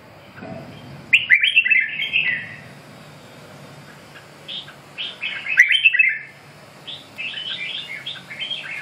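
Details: Red-whiskered bulbul singing: bright, warbled phrases of quick rising and falling whistled notes, given in bursts near one and six seconds and followed by softer, choppier notes; faint low background hum.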